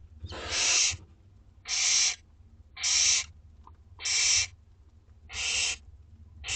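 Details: Two-week-old Barn Owl owlets at a school garden nest during feeding time, giving clean, evenly spaced hissing screeches about once a second, each lasting half a second, over quiet background.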